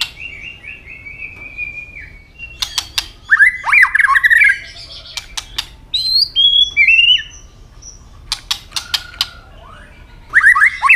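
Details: White-rumped shama singing its fighting song with strong tail snaps: a flat sustained whistle, bursts of clicks, then varied warbles and high slurred whistles, clicks again, ending in a rich warbled phrase.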